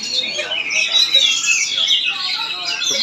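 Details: Kacer (Oriental magpie-robin) in Palangkaraya, Central Kalimantan: a steady stream of high, clear whistles and quick chatters, with a bright rising sweep midway and a brief louder flourish at the close.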